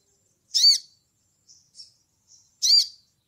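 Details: Crimson sunbird in ngleper style, a call to a rival used to provoke other birds: two loud, rasping, arched high notes two seconds apart, separated by three soft, thin twittered notes.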